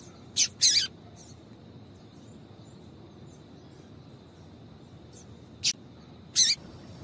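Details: High-pitched chip calls of a female double-collared seedeater, used to excite the male; a quick cluster of two or three notes, a long quiet gap, then two more sharp chips.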